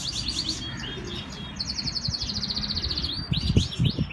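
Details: Canary singing in Islamabad, Pakistan: whistled swoops, a long rapid rattling trill, then more rising-falling whistles, with low thumps and handling noise near the end.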